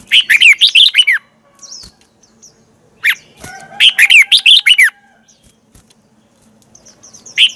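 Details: Red-whiskered bulbul singing morning contest song as a decoy to spur other bulbuls: a run of rapid looping whistles, a brief single note, then another longer string of bright, wavering whistled notes, with faint chirps between.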